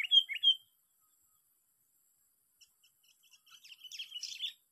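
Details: Sooty-headed bulbul from a lure catch, on the sixth day of a fight: a clear three-note whistled phrase opens, then faint scattered chirps build into a soft, rapid twittering near the end.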